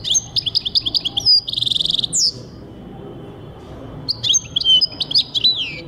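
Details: Goldfinch song recorded in 2023, a fast twittering run with a rapid buzzy trill and a sharp downward note, then a pause before another bright jumble of high chirps and slurred whistles.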